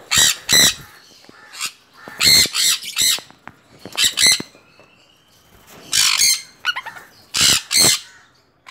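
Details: A five-month-old sun conure gives loud, harsh, high-pitched screeches in short repeated bursts.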